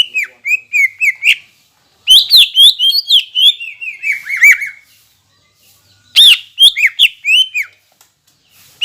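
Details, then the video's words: Greater green leafbird song for provoking other leafbirds; phrases of rapid whistled chips and downslurs, loud and varied, separated by brief silent gaps. "PANCINGAN CUCAK IJO GACOR NEMBAK UNTUK MENAIKAN EMOSI CUCAK IJO LAIN AGAR JAMTROK"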